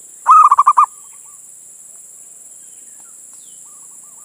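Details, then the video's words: Calling to a female, a local male zebra dove gives one loud, rapid phrase of about six pulsed coos, followed by faint, soft cooing notes. "Suara Perkutut Jantan Memanggil Betina"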